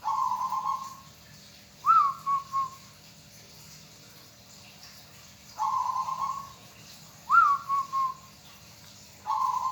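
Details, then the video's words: Local zebra dove, a pleasing hobby bird, alternating long steady coos with a three-part phrase of a sharp rising note and two brief whistles, repeating steadily. "bunyi perkutut sangat menyenangkan hati bagi yg hobi burung perkutut lokal"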